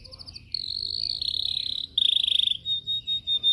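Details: Caged yellow canary in training: brief chirps leading into sustained buzzy trills of fast repeated notes, closing with several evenly spaced clear whistles.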